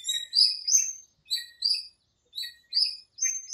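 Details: Park birds calling at dawn in breeding season, during the monsoon period: high, thin whistled chirps repeated about three times a second in short clusters, separated by brief silences, with no other sounds.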